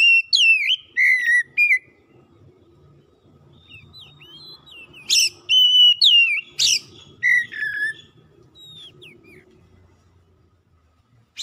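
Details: Oriental magpie-robin singing for a bird that has stopped singing: an opening run of bright slurred whistles, a quiet stretch of thin high notes, then renewed loud downslurs and harsh buzzy bursts.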